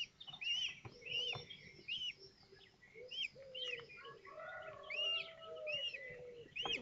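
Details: Common kestrel chicks at a nest in Théding on 19 May 2024, as the fifth egg hatches and the other young are fed: repeated arched, squeaky calls, each rising then falling, with a low, drawn-out tonal note running beneath.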